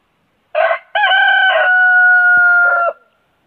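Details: Huge rooster in a nonstop crowing bout gives a full crow: a brief harsh lead-in note, a pause, then a sustained, ringing tone held for nearly two seconds before a gravelly, fading finish; nothing else audible.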